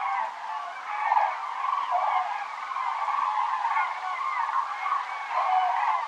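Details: Cranes flying south over Navarra, Pyrenees, on 1 November 2017, circling and regrouping overhead. A loud, unbroken chorus of overlapping rolling trumpet notes from many birds, with a few higher, clearer calls standing out.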